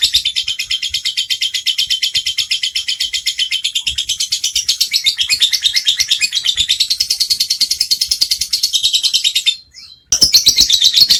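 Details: Ngekek lovebird song, an extended rapid trill of sharp high chirps pulsing evenly for about nine seconds, then a short pause and a loud resumption of the same chattering run.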